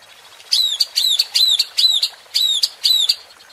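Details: White-rumped shama (murai batu) provocation sound for stirring a rival's emotion: six crisp, down-slurred whistled notes, each with a sharp onset, delivered in quick even succession.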